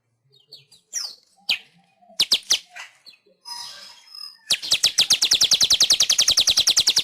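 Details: Master song of a weaver for training pet birds: scattered scratchy chips and a wheezy buzz lead into a long, rapid, evenly paced rattle of sharp chirps.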